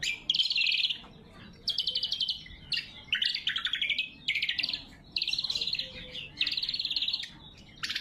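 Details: Greater green leafbird in full voice, a natural recording used to lure wild birds and train caged ones: a steady run of buzzy chattering phrases, each about half a second to a second, with brief breaks.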